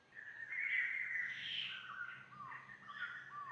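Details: Forest birds along the Monk's Trail up to Doi Suthep, Chiang Mai, on a warm, sunny day sing in an overlapping chorus of clear whistles, arched and slurred notes, and a bright tangle of higher phrases.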